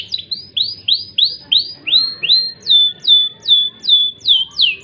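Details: Kenari jambul, a crested canary, with loper song in cengkok gurih style: arched upswept notes repeated steadily, followed by sharp downslurred whistles about two per second.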